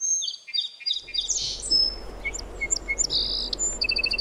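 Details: Song sparrow singing: a jumble of high chirps, then spaced clear notes, a short buzzy note and a quick run of repeated high notes at the end, over faint background hiss.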